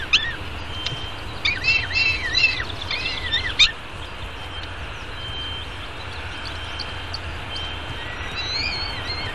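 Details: Young peregrine falcon eyas at a downtown Arizona nest, being fed breakfast at 9:28 am on 24 May 2016, gives a burst of high, wavering, squealing begging notes while eating, then a fainter call near the end, over a steady low traffic rumble.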